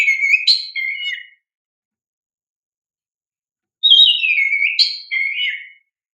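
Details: Oriental magpie-robin in vigorous song, used as a lure to get young caged magpie-robins to respond: two rich whistled phrases sliding between high and mid pitch, separated by a silent gap of about two and a half seconds.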